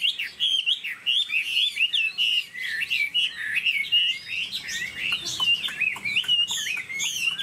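Chinese hwamei pouring out a loud, continuous song of rich whistles, slurred rising and falling phrases and quick chattering notes, barely pausing throughout.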